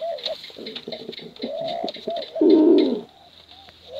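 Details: Cooing from male and female competition pigeons, used for luring young birds. Soft looping coo notes build into a loud, rough, rolling coo near the end, with scattered clicks.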